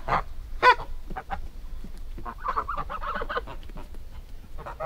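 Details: Several short, loud goose honks, with one sharp blaring call near the start, followed by a cluster of nasal, wavering calls. Low rumbling noise runs underneath.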